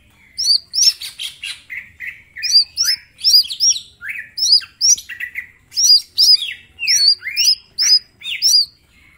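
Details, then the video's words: Mini green leafbird singing persistently, full of sharp shot-like notes for use as master song: an unbroken series of bright looping high whistles and rising slurs, pulsing about twice a second. "Cucak ijo mini gacor full tembakan bongkar materi"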